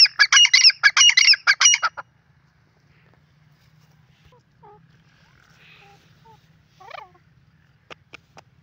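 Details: Grey francolin in breeding season in Pakistan: a loud harsh run of rapid, rhythmic, grating notes in two bursts over two seconds, then near silence with a few faint chirps and clicks.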